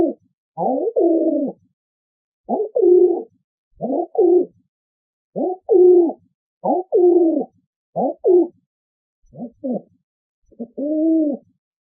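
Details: Pigeon cooing: soft, low, hollow coo phrases, each about half a second to a second long, repeated in an irregular series of about ten over twelve seconds, with quiet gaps between them and no other sounds.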